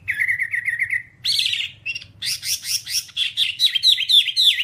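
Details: Whambie singing in a long tutor recording meant to train pet birds: a quick trill of repeated rising notes, then a dense burst of buzzy chattering and a string of bright swooping whistles.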